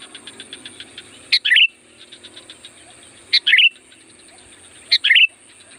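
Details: Sooty-headed bulbul, a loud song used as a lure for wild bulbuls: three short, bright, bubbling phrases about two seconds apart. A steady high whine and soft rapid ticking continue underneath.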